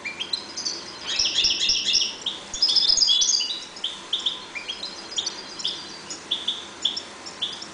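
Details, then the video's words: Caged European goldfinches breeding in a 1.2 m cage: a burst of tinkling, twittering high notes, then scattered short chirps and tweets over faint background hiss. "jilgueros criando"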